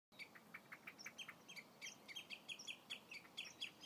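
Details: Several common redshanks at Old Hollow, Ribble NNR give a rapid, excited run of high, piping tew notes, overlapping at about five or six notes a second.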